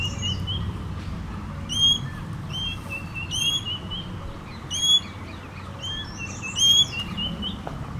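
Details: Common green magpie giving short, sharp whistled notes in bursts of two or three, with higher overtones, repeated irregularly about every one to two seconds over a low, steady background rumble.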